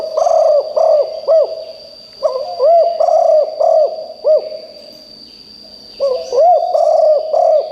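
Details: Decoy spotted dove calling loudly enough to set wild birds answering: repeated runs of hollow, arched coos, about two per second, broken by brief gaps. A steady high whine persists.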